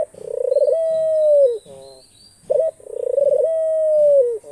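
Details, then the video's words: Two long coos from a pet Australian dove, each starting with a rapid pulsing and settling into a clear, even tone that falls at the finish, with gentle buzzy notes between them. "ঘুঘু পাখির ডাক। অস্ট্রেলিয়ান ঘুঘু পাখির ডাক।The call of the dove.Australian dove bird call."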